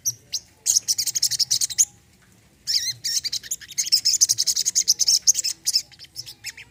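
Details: Olive-backed sunbird, song used to coax a silent bird into singing: loud bursts of very high, rapid, trilled chirping, with a short pause before a long, rattling stream of sharp repeated notes.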